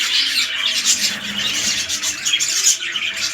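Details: Breeding red-eyed lutino budgerigars, a big male and a small female: loud, unbroken high twittering and squawking, many birds chattering at once in a dense buzzing warble.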